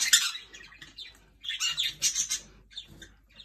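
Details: Jenday conures sharing bread, giving two bursts of loud, harsh, high squawking chatter separated by a short quieter pause, then trailing off into fainter chirps.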